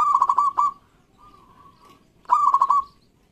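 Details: Loud local zebra dove singing to prompt quiet doves: two rapid trilled, rolling cooing bursts about two seconds apart, each ending on a held tone, with a softer sustained note between them.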